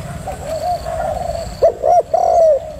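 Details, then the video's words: Soft, muffled cooing opens, then a female spotted dove sounds loudly: two short clipped coos and a longer, smoothly falling coo to finish. "chim cu gáy mái thúc gù cực hay"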